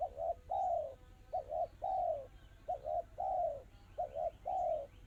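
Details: Tekukur, or spotted dove, giving its crisp, rapid crystal-style song: four close-set phrases, each two short hooting notes followed by a long mellow coo that slides downward. Faint, high bird chirps are heard in the background.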